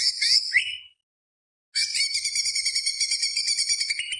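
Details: Greater green leafbird singing energetically, used as a training lure: a brief sharp rising note, a pause, then a sustained dense buzzy roll of fast harsh, high notes lasting over two seconds.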